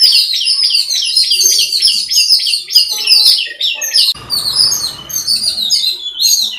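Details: Jungle babbler calling: dense, harsh, high-pitched chattering notes from several overlapping birds, rapid and nearly continuous, with an abrupt break midway followed by more squeaky chatter.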